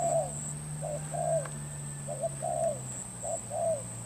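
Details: Trapping decoy spotted dove, Cà Mau stock, Vietnam, 21 February 2024. Somewhat soft, mellow coos in short-long pairs with a falling second note, set against steady hum and a faint high whine.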